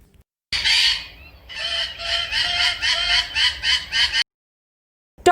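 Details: Macaw scream: one drawn-out harsh, grating squawk followed by a fast series of about eight loud rasping calls, then a sudden cut to silence.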